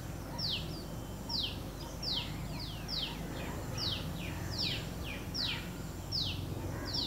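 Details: Newly hatched White-breasted Waterhen chicks, four black fledglings, run behind their mother near a flower bed in a Delhi orchard. They give high, thin, downward-sliding chirps about once every second against a steady low background rumble.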